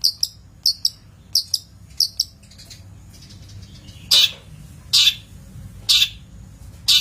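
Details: Long-tailed shrike on a master recording for training birds, starting with quick high double chirps, then switching to loud harsh rasping squawks about once a second.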